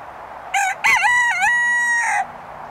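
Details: A single crowing rooster at Emma Prusch Farm Park: a brief first syllable, a loud strained second, then a long sustained harmonic-rich note that dips and recovers before trailing off, with little else audible.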